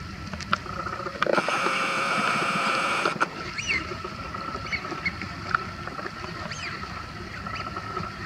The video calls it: Battle of ducks Eurasian Wigeon / Mareca penelope ヒドリガモの喧嘩